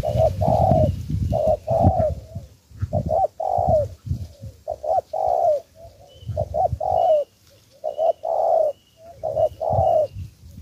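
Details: Spotted dove, a newly caught bird being trained into a decoy, gives repeated deep hollow coos in uneven groups of two to three about every two seconds, over low rumbling noise and faint, thin chirps of another bird.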